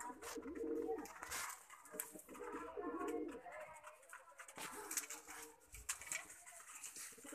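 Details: Lakha pigeon, a domestic pigeon breed, cooing indoors: low rolling coos in bursts near the start and around three seconds, with rustling, clattering and other noises throughout.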